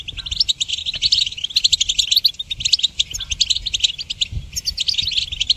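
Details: Song of a goldfinch intended to train songbirds: quick, liquid twittering with clipped chirps and buzzy trills, delivered in a steady unbroken stream over faint low background hum.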